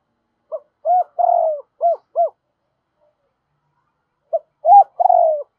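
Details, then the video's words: Spotted dove double call used to rouse and train decoy doves. A full phrase of a short note, a long falling coo and two clipped coos, then a second phrase that breaks off at the end. "Chim cu gáy gọi giọng đôi dùng kích bổi tập mồi hiệu quả"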